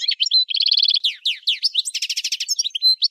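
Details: Algerian goldfinch from the Souk Ahras region, Kef El Hammam, Algeria, singing a fast, varied song of high twittering notes, buzzy repeated trills and sharp downslurred whistles, continuous throughout.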